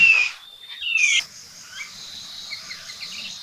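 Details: Red-billed blue magpie recorded at Sattal in Uttarakhand, India: two loud, clear whistled notes, the second longer and slightly rising, followed by faint distant chirps over a steady insect hiss.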